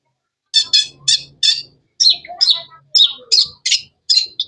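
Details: Long-tailed shrike, called cendet, delivering a rhythmic series of about a dozen sharp, buzzy high chirps, paired and evenly spaced, with some lower notes mixed in.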